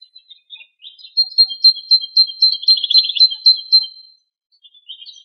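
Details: Wild male European goldfinch singing free in Greek nature during very strong wind: a high, tinkling run of twittered notes that swells into a rapid buzzy trill, then trails off into a few scattered chirps.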